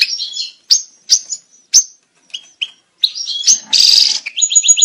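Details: European goldfinch breeding calls: spaced sharp chirps and twitters, then a buzzy burst and a quick series of rising whistled notes at the end.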